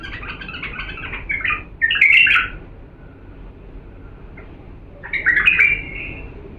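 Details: Pure song of an authentic Diyala bulbul for teaching chicks: fluty, warbling phrases in two bursts, each ending in a brighter slurred whistle, with a quiet stretch between.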